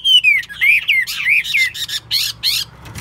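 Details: Chinese hwamei, a kept bird described as a keen, fine singer and fighter, gives loud descending whistled slurs followed by harsh, buzzy, scratchy bursts in quick succession.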